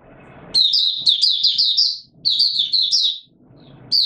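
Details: In warm humid weather on 20 March 2022, a white-eye sings buka sing: long runs of quick, high, sweet chirps, with low rumbling background noise before and after the phrases.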